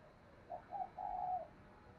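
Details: Spotted dove cooing, used to stimulate wild doves to respond: three soft, low hooting notes, two short, then one longer drawn-out coo, faint against a steady background hiss.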